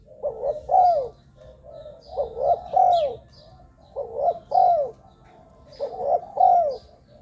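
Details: Spotted dove coos used to draw in wild doves for ground, branch or trap-cage decoying: four phrases, each a pair of short coos ending in a drawn-out falling note, spaced about 1.5 seconds apart, with faint distant chirps.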